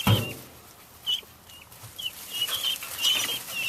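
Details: Helmeted guinea fowl in a coop, agitated while their bedding chips are stirred: a thump, then scattered short, sharp high calls repeated every half second or so, with rustling in between.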